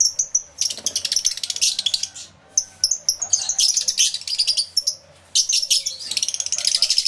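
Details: Lovebirds filling an aviary, recorded with two external microphones: almost continuous high, rattling chirps in fast pulses, broken by a couple of short silences.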